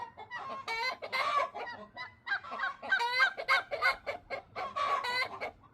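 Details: Talkative free-range backyard hens, bantams and silkies, call in quick overlapping bursts: nasal harmonic clucks and longer squawks, roughly three per second, from several birds at once.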